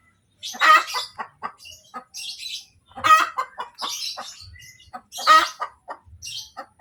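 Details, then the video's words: Hen cackling after laying an egg: loud harsh 'kotek' bursts, each a strong note followed by several quicker falling clucks, repeated about every two seconds, with higher chirps from other birds between. "SUARA AYAM SETELAH BERTELUR | AYAM BERKOTEK | AYAM BETINA BERTELUR"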